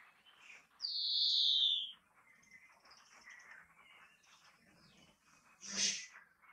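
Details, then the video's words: A European greenfinch gives a drawn-out, buzzy wheeze that slides slightly downward for about a second, then soft twittering and one short harsh burst. "Vogelstimmen: der Grünfink"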